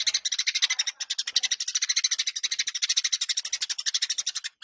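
A Eurasian tree sparrow chirps nonstop in fast, harsh, high notes, roughly three a second, with a faint hiss behind.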